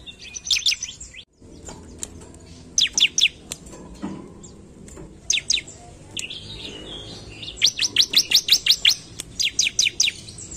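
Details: Sumatran leafbird (ciblek), lively song meant to provoke rivals: scattered trains of fast, sharp, high sweeping notes separated by gaps, a brief click and low background noise between phrases.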